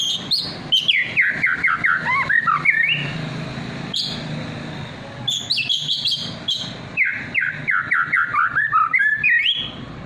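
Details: White-rumped shama, trotol and pastol types, singing as a lure for other birds to answer; fast cascading runs of sharp descending whistled notes in two long phrases, with clicks and a gap of background noise between.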